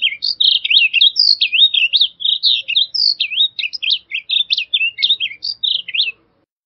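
A blue grosbeak delivers a rapid, rich warble of slurred up-and-down notes, running for about six seconds, over a quiet background.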